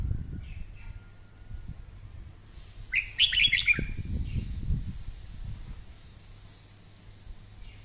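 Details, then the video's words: Red-whiskered bulbul delivering a fiery training song: a single short phrase of quick, bright chirping notes lasting under a second, set against continuous low rumbling and thumping noise. "luyện giọng chào mào hót hay căng lửa mỗi ngày"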